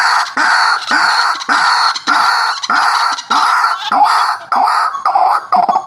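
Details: White-breasted waterhen, known locally as ruak-ruak, in a recording used to lure birds: harsh, nasal calls repeated in steady bursts of about one and a half per second, each with a low rising onset and rich mid-pitched overtones.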